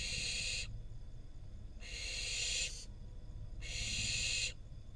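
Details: In Israel, a wild barn owl fledgling receives a rodent from its parents on camera. Three long, rasping hisses sound in steady succession, each almost a second long, separated by brief pauses.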